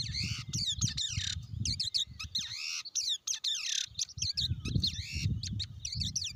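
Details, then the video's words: Loud, chattering calls of a blue-winged leafbird: rapid downslurred whistles, squeaky chips and harsh notes in quick clusters, broken by a brief pause, with low rumbling background noise. "tiếng chim cánh xanh"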